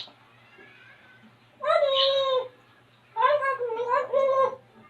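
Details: Pet African grey parrot indoors, imitating animal sounds on request, gives two drawn-out, nasal, meow-like harmonic calls, the second wavering, separated by about a second of quiet, with a low steady hum beneath.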